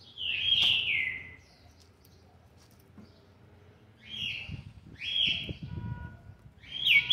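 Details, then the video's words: Young green-winged saltator, seven months and twenty days old, singing: loud descending whistled phrases near the start, then a pause and three more sliding whistled notes, with faint low background noise between phrases. "trinca ferro ( BRABO ) FILHOTE DE SETE MESES E 20 DIAS JÁ MOSTRANDO SUA GENÉTICA"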